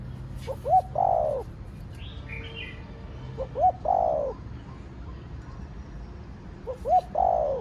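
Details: Spotted dove singing in the Thổ Đồng voice style, a fast-rousing kích bổi coo: three phrases, each two short rising hoots then a long falling coo, about every three seconds, with faint high chirps of other birds.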